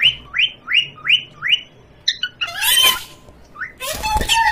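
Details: Parrot kept at home, calling while it plays with a baby: five evenly spaced, falling chirps, then a few clipped notes and two bursts of harsh, rustling noise.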